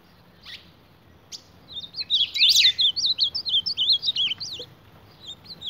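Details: Ultramarine grosbeak fighting a mirror image, first a few faint notes, then a loud scratchy sweep leading into a tight series of high wavering whistles that fades away.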